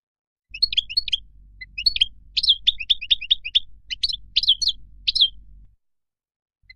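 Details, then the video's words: Goldfinch wild song for young birds to learn: a steady run of separate sharp chirping notes, each a quick rising and falling twitter, over faint low background hum. "تغريد الخلوي أو البري لطائر الحسون"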